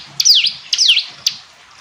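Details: Hill prinia, called ciblek gunung, singing clear high notes: two thin descending-then-rising sweeps with sharp chip notes, about half a second apart, in a quiet setting.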